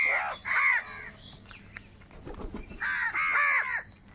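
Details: Crows in a big gathering while fighting over food, two clusters of harsh nasal caws at the start and end, a quieter stretch of faint calls and rustling between.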